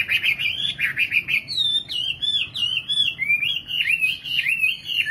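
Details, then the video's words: Nightingale song: a continuous, lively warble of rapidly modulated whistles, quick zigzag notes strung together without pause over a quiet background. "Singing nightingale. amazing bird song"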